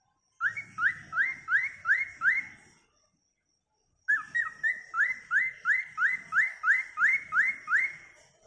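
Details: Cockatiel whistling sweetly to lure a female: two runs of short, clear, rising whistled notes, about three per second, the first run of six notes, then a brief pause and a longer run of about thirteen, in a quiet setting.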